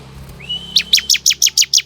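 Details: Ciblek used as a lure call to draw wild ciblek to respond: a rising whistled note, then a fast series of about seven sharp, high chirps with descending tails, evenly spaced.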